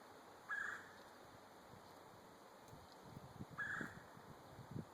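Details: A pileated woodpecker that has returned, across the street from a driveway, gives two loud, short, hollow call notes about three seconds apart over a low background rumble.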